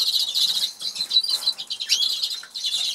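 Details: Song of Norwich canaries feeding in a cage in an English aviary, two birds present; dense twittering trills with a rising slurred whistle midway, continuous throughout.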